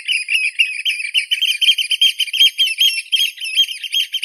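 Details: Eurasian oystercatcher: a dense, continuous piping of high, shrill notes running together into an excited trilling stream, with no pauses throughout.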